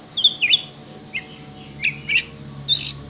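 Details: Caged oriental magpie-robin, kept as a singing tutor bird and prepared for contests, giving scattered sharp chirps and short whistled notes with gaps between them, ending in a loud, harsh burst, over a faint low hum.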